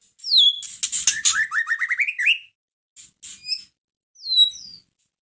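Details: Caged white-rumped shama song aimed at stirring another shama into song: a harsh buzzy burst over a rapid rising series of whistled notes, then a few high downslurred whistles after a pause.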